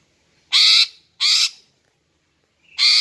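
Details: Female greater green leafbird call used to attract males: loud, rasping, hoarse notes, two close together about half a second apart, then a third after a pause, each short and scratchy.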